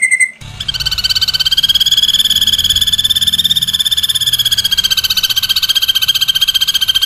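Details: Ashy drongo tembakan, a rapid-fire song style used to tutor cage birds. A brief opening note leads into a sustained, fast, buzzy rattle at a high, nearly level pitch, lasting about six seconds.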